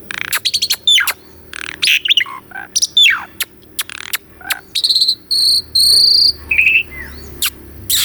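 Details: Asian pied starling tutor song for a caged bird that has stopped singing; fast clicks and falling whistled slides, then sustained high whistles and a lower drawn-out note.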